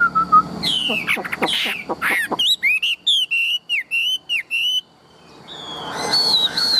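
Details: Chinese hwamei, a tame caged bird, opening with harsh scratchy notes then breaking into a fast series of bright whistled slurs, ending with a short pause and soft background noise.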